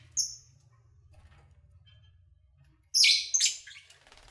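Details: Kept lovebirds recorded while eating, singing and playing: one thin high chirp, a long pause, then a loud jumble of harsh overlapping chirps and squeaks.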